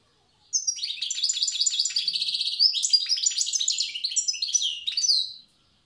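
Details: Wild European goldfinch, Tiaret type, singing the old song style: one continuous five-second phrase of fast, evenly pulsed twittering notes that rise into tinkling, liquid trills before stopping abruptly.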